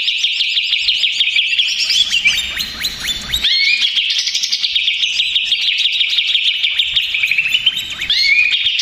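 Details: Lure recording of an agitated Greater green leafbird: a loud, hurried, jumbled high warble with quick pitch jumps, a brief softer dip midway, then continuous fast chatter resumes.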